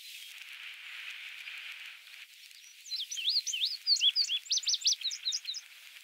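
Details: Male indigo bunting singing on Goose Lake Prairie, Illinois, on 29 May 2016: a quick run of high, sharp paired notes that jump up and down, lasting about three seconds after a quiet stretch of faint background hiss.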